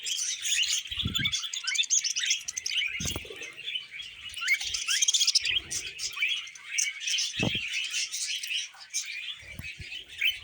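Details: Pet budgerigars feeding on vegetables keep up a lively warbling chatter of squeaks, clicks and short whistles, punctuated by several sharp knocks from eating.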